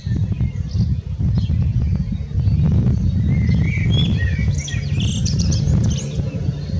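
A common blackbird sings a short, mellow fluted phrase that ends in a higher, squeaky twitter, heard over a heavy low rumble of wind.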